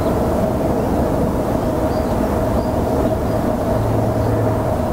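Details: A loud, steady low rumble of a passing train or heavy vehicle fills the whole recording, with no animal voices heard.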